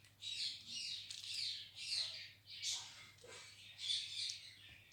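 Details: Pet talking ringneck parrot indoors, playing with toys in a happy mood: a quiet series of short raspy squawks and chatters, about six bursts in five seconds, with a low steady hum in the room.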